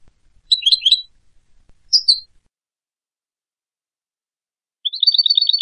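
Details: European goldfinch producing a short cluster of tinkling twitters and a slurred whistle. After several seconds of silence comes a rapid, evenly repeated chirping trill.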